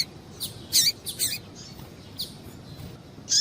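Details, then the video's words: Female Double-collared Seedeater calling to stimulate a male: scattered short high chirps and brief sharp notes with quiet gaps, a few louder bursts near the start and end. "Piado de Fêmea de Coleiro Para Esquentar Coleiro"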